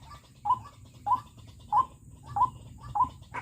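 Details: White-breasted Waterhen kept as a fierce decoy for trapping wild waterhens with snares. It calls five short, clipped notes roughly every 0.6 seconds over a low rumbling background.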